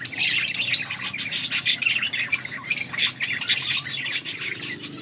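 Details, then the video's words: Budgerigars chirping, recorded August 14, 2024: dense, lively high-pitched chatter of warbles and short tweets in rapid uneven bursts, several birds overlapping. "Budgies sounds for lonely birds birds chirping sounds"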